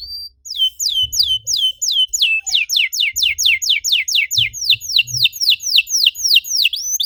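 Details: Canary song for stimulating other canaries to sing, a long run of repeated high descending whistles about three per second, bright and regular, with a faint low hum beneath.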